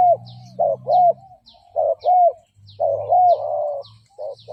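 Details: Spotted dove decoy calls meant to lure and provoke rival males; mellow arched coos in uneven bursts over a low droning hum, with faint high bird chirps scattered throughout.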